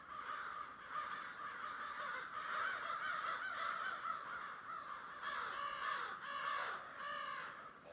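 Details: Thousands of crows fill the air with a dense, continuous chorus of overlapping harsh caws. Louder, clearer bursts stand out toward the end, with a weird noise in the background.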